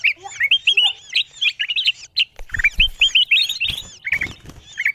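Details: Ruby-throated bulbul calls played as a lure for wild birds. Busy clusters of short whistled and chirped notes, some looping, repeat in quick runs, with a few low knocks mixed in.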